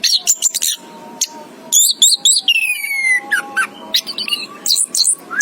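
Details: Orange-headed thrush (anis kembang) chirping with a varied run of high sharp notes, buzzy bursts and a long descending whistled slur, phrases following quickly with short gaps, over a low steady hum.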